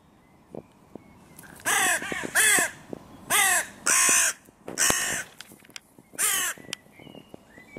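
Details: Crows calling in a park by a music pavilion where the territory borders of three breeding pairs meet and are hotly disputed; six loud, harsh, hoarse caws in an irregular series, each about half a second long.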